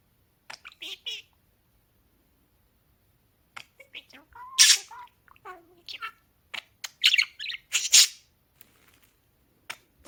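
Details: Talking pet parakeets: scattered chirps, then a run of speech-like warbled mimicry with squawky bursts in the middle stretch, ending with sparse clicks.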